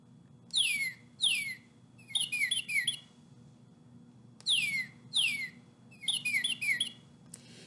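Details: Male (bright red) Northern Cardinal, the bird with cherry-red feathers and a cheery song, singing two loud, clear down-slurred whistles and then a quick run of shorter sweeping notes; the phrase is repeated twice over a faint low hum.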